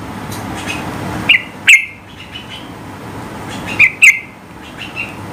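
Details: Yellow-vented bulbul firing off high-pitched notes to challenge rivals into song: two pairs of piercing, echoing chirps about two and a half seconds apart, over low background hum.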